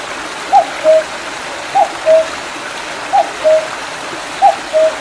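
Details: Cuckoo in mountain woods at Mandeok-dong, July 2019, after rainfall next to a small stream: repeated two-syllable cu-coo, the second note lower and longer, four times, with steady stream rushing underneath.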